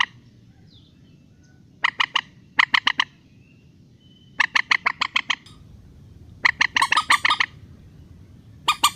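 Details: Trapping lure of a rail, used to coax birds down into nets: clipped, harsh squawks delivered in rapid pulses of three to eight notes, groups spaced irregularly with quiet stretches between.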